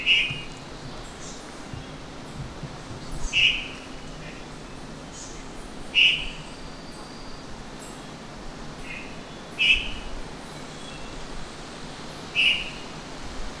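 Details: White-throated thrush (Turdus assimilis) giving short, sharp high notes spaced about every three seconds over a steady hiss of background noise.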